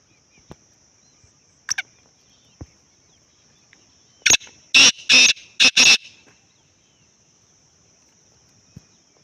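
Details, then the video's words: A Black francolin, a ground-dwelling bird of mountain countryside in South Asia, calling in the morning mist, gives one loud, harsh phrase of five grating, rasping notes in quick succession over a steady high insect drone. "Nature's Loudest singer?(black francolin)"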